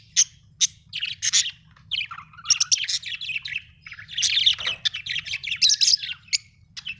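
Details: Budgies chirping continuously, a dense jumble of chattering, warbled notes and brief squeaky tweets with few pauses, a faint low hum beneath.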